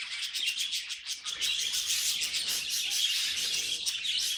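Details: Continuous high twittering and scratchy warbles from pet budgerigars, loud and unbroken from start to end.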